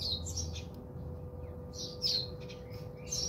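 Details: House sparrows bathing at a home in South Africa give bright, short chirps in loose clusters, with pauses between bursts, over a steady low electrical hum.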